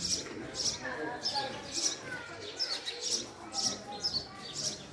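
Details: House sparrow giving high, sharp chirps about twice a second in an uneven rhythm, with faint background murmur.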